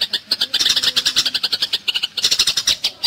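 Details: Eurasian tree sparrow in fighting mode, recorded for training other songbirds such as white-rumped shama and greater green leafbird. Dense, rapid, harsh high chirps come in fast bursts with brief gaps.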